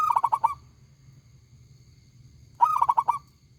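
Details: Zebra dove of a local type, singing loudly and persistently. A burst of quick pulsed coos at the start is followed by a pause, then another rapid trilled coo phrase. A faint low hum runs underneath.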